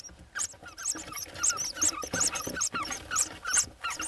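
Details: Eurasian hoopoe chicks in Hungary in June 2024, reacting to being ringed while preparing to fledge: squeaky, hissing high calls in quick uneven bursts, with handling noises underneath.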